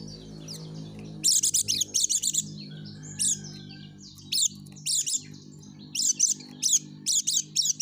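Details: Caged yellow-breasted white-eye singing vigorously to lure other white-eyes, sharp bursts of very high rapid notes in short clusters separated by quieter gaps, with a low hum behind.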